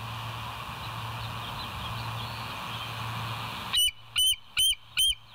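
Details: West End bald eagles on a live nature cam, 22 July 2023 at 05:06: almost four seconds of droning hum, then four loud, high piping whistles spaced evenly, about two per second.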